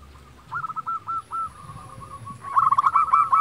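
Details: Local zebra dove in lively song, used to prompt quiet doves to sing: soft low hum, then rapid staccato cooing phrases near one pitch, a short trill, and a louder stuttering burst at the end over faint low background rumble.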